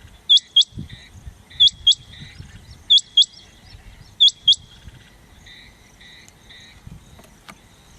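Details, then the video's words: Rain quail, recorded 9 January 2023, giving a steady series of high, sharp paired notes, four doublets about every 1.3 seconds, then quieter; faint insect-like trilling and low outdoor noise behind. "Rain quail call 9-1-2023/ chirnga Batir ki awaz"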